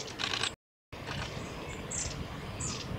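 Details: Long-tailed tit at Gongenyama Bird Sanctuary, Japan, 8 September 2018, giving a few thin, very high, slightly down-slurred notes about a second apart over steady background hiss and a brief dropout.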